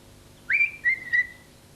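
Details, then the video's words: A tame young common starling in Corsica, in its cage after a bath in the late afternoon, whistles three clear, pure notes of La Marseillaise: a rising swoop, then two steady notes about a third of a second apart. "un étourneau sansonnet qui siffle La Marseillaise"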